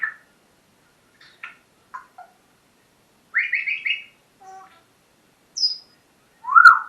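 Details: Household parrot's morning session: quick varied chirps and clicks, a run of four raspy, rising chattering notes, a low hollow note, a thin high whistle, and a final loud squawk, busy and irregular.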